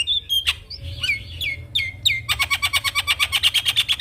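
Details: Vigorously singing, head-nodding Javan myna, its song used to teach and lure young mynas: sliding whistled notes and slurs give way to a fast, steady burst of harsh chattering notes.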